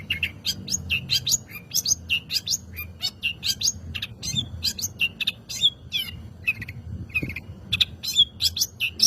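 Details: Lure recording of a Long-tailed shrike singing vigorously to draw other birds into song. Dense, fast chattering of sharp high chirps and short whistles, changing note shapes almost every fraction of a second, over faint low background rumble.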